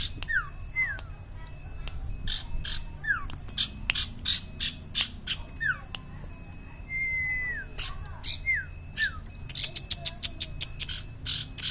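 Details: Sirtu or cipaw, the common iora, singing steadily: scattered descending whistles, one longer drawn-out note, and rapid buzzy chattering bursts, with clicks and a low hum behind.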